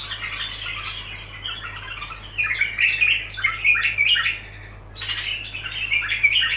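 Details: Bulbul delivering a long unbroken run of rapid chattering warbles and scratchy notes, louder from the middle onward, with a short dip before a final burst; a steady low hum underneath.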